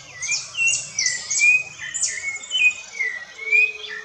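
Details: Rufous-bellied thrush singing in the woods: loud, rich whistled phrases with upslurred and looping notes, delivered in quick succession, mixed with high sharp chirps from other birds.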